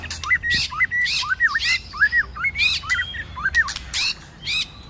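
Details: White-rumped shama singing a fighting song in many voices during the cold season, with tail-flicking and clicks: paired, twisting whistled phrases repeated about twice a second, each set off by sharp broadband clicks.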